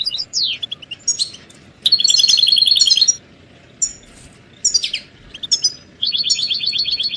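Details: Goldfinch stimulation recording of caged birds: separate bursts of high twittering, including a descending slur and two fast metallic trills of rapidly repeated notes, with quieter gaps of background hiss between phrases.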